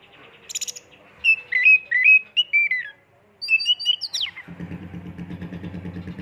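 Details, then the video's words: Oriental magpie-robin lure song full of mimicked phrases and 'shooting' notes: a run of clear, slurred whistles, then sharp rising chirps and a quick high flourish, followed by a steady low mechanical drone. "pancingan burung Kacer fulisian tembakan"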